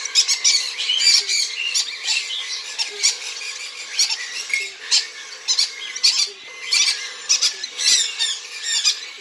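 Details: Hand-fed cockatiel hatchlings aged three weeks produce a steady stream of raspy, broadband squawks, roughly a hundred per minute in uneven clusters, with faint soft ticks beneath.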